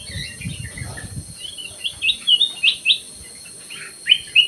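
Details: Black-crested bulbul in an aviary delivering a lively song: soft warbles, then about six loud clear whistled notes in a quick series, followed by a final sharp pair of whistles.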